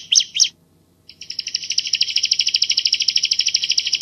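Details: Two loud, sharp chirps from a bar-winged prinia (ciblek Jawa), a second of silence, then a steady, very rapid high rattle of clear repeated notes, in the tight 'tembakan' delivery used as masteran training song.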